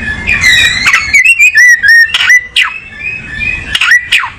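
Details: Oriental magpie-robin giving drawn-out, pure whistles that waver slightly in pitch, interspersed with a few loud downward-swooping notes and brief gaps of quiet.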